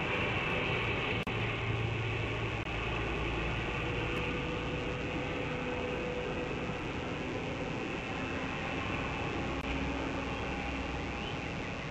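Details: A steady mechanical rumble and hum with a faint tone, like a train or machinery, and no animal calls.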